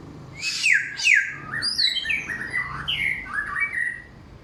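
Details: Samyong with a clear, loud song, many-voiced with forest-bird material: two sharp downslurred whistles, then a flowing series of warbled rising and falling notes.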